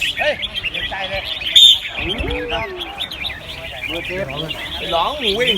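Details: Many caged red-whiskered bulbuls sing together at a competition field in Ban Khao Din, Chonburi, Thailand, giving continuous lively chirps and short rolling warbles, with crowd voices underneath.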